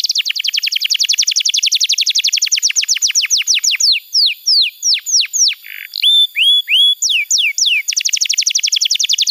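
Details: Canary song played as a tutor and lure for young or silent canaries. A very fast rattling run of descending notes slows into separate swooping whistles, with a short buzz and rising upslurs, then returns to a rapid rattle.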